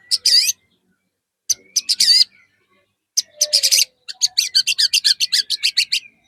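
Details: Singing white-rumped shama used as a pancingan to stimulate a pet shama to sing and show its isian: bursts of sharp, high whistled and scratchy notes, then a fast run of about fifteen crisp repeated notes.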